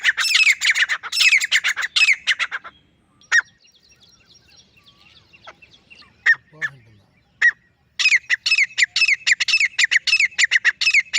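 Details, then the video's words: Male grey francolin calling alone: bursts of loud, harsh, rapidly repeated ringing notes at the start and end, with a quieter stretch of scattered sharp notes between. "Akely Nar Teetar ki Saaf or Full Sound | Awaz Only Male Partridge Sound | Grey Francolin Voice"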